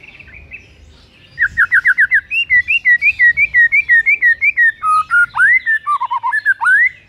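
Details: Rival-provoking morning song of a white-rumped shama: a quick run of short down-slurred notes, then a long flowing string of wavering whistles that dip low and rise again, steady and loud.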